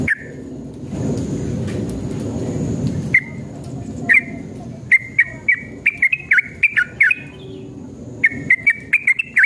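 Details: Yellow-vented bulbul in energetic, long rolling song used as a lure to make other bulbuls sing: after three seconds of low rumbling noise, a rapid series of short, sharp whistled notes repeats at an irregular, quickening pace.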